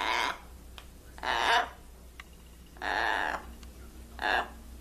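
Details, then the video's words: Blue-and-gold macaw, a trained pet, calling out four loud hoarse word-like phrases of varying length, separated by short gaps with a few faint clicks between them. "Funny macaw says "whats up" "hello" !!! and even act like crying"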